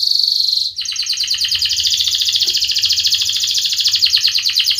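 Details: A strong-singing canary song, used to stimulate silent and young canaries to learn to sing: a high steady whistled note, then a long fast rattling trill of rapidly repeated high notes running on without a break.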